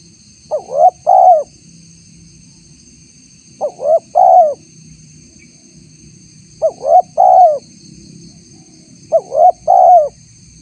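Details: Spotted dove (tekukur) lure call, used to draw responses from wild spotted doves. Clear three-part cooing phrases: a short note, a rising slurred coo, then a longer falling coo. Four phrases roughly every three seconds over a faint steady high hum.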